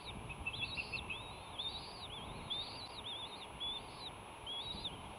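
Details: Bald eagles at the Sauces nest on Santa Cruz Island, California, on a live nest camera, 15 March 2018, during a fight, with chicks hatched on 13 and 14 March; a rapid series of high, thin, arching chirps and piping notes over steady background rumble.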